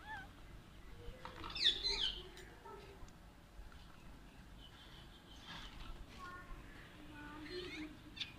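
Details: Pet Alexandrine parakeets squabbling over toys indoors: a harsh, buzzy squawk early on, then quieter scratchy chatter and a few short nasal calls near the end, with rustling and low room noise throughout.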